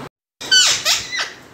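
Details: A pet green Indian ringneck (rose-ringed parakeet), described as talking and exercising, gives three harsh, grating squawks in quick succession, each bending sharply in pitch, after a brief silence in a small room.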